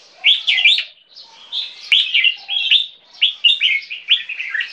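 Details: Caged two-year-old crossbreed of Asian black bulbul and red-whiskered bulbul from a Thai competition bloodline, singing short bubbly warbled phrases in quick bursts, with a brief pause near the middle before the phrases resume.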